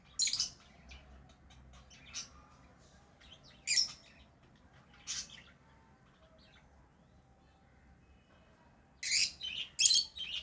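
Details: Lovebirds kept as pets, chirping: sharp, harsh high chirps in scattered bursts, a loud cluster at the start, single notes near two and four seconds, and a dense run of shrill squawky chirps near the end.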